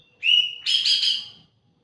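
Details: Kintamani orange-headed thrush song phrase: a clear sustained whistle flowing into a loud, rich, warbling burst about one second long, with nothing else heard.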